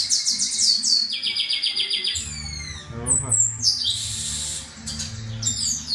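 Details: Chestnut-capped blackbird males contesting with song, quick series of sharp descending whistles followed by buzzy trills, a low hum and brief murmur in the background.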